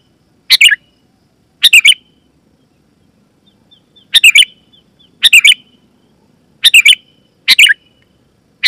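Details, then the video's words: Sooty-headed bulbul call used to lure wild bulbuls and make caged ones respond: seven short, bright two- or three-note bursts at irregular gaps, with a faint dotted whistle between phrases. "Suara Burung KUTILANG GACOR,Super Ampuh Keras, Lantang dan Jernih, Burung Kutilang Lain Auto Gacor"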